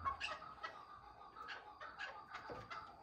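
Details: Chukar partridge calling: a rhythmic series of hoarse, clucking notes repeated roughly twice a second. The notes sound soft and somewhat muffled against a low background hiss.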